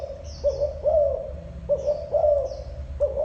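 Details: Spotted dove cooing: low, mellow two-part phrases, each a short note then a longer, gently arching coo, repeated about every 1.3 seconds, with faint high twittering from other birds behind.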